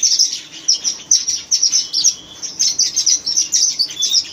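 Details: Steady run of sharp, high chirps from red-rumped parakeets, short notes repeated several times a second with a faint lower whistle threaded through.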